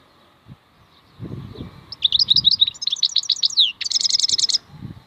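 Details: Wild European goldfinch (maknine khalwi) delivering a varied twittering phrase: liquid chirps and slurred notes building into a rapid, ringing trill, with soft low thumps underneath.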